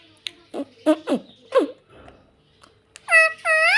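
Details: A pet ringneck parrot makes several low, throaty chuckling notes, then a pause, then two long, loud, harmonic screeches that bend downward and level off.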